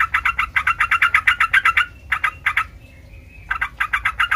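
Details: Sooty-headed bulbul singing to prompt other bulbuls to respond: a rapid burst of bubbly notes, a few isolated notes, then about a second of quiet before the chatter resumes.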